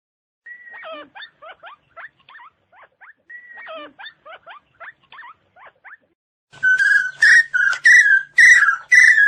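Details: Chinese francolin calling, a recording used as a lure in hunting: two phrases of thin, rapid, rising chattering notes, then a loud close series of harsh, ringing notes.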